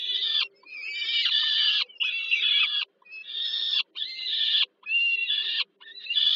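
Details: At Termika Żerań in Warsaw, Poland, peregrine falcon young beg during an evening feeding by the mother, 15 July 2022; a series of six harsh screaming bursts, each about a second long with short pauses.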